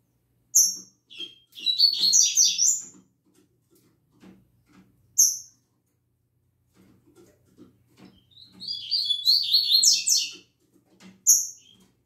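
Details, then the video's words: Caged double-collared seedeaters start singing in the morning, giving two long, rapid, buzzy twittering phrases several seconds apart, each set off by sharp high single notes, with soft knocks and rustling in between. "Quando Meus Coleiros Começam a Cantar Pela Manhã!!!"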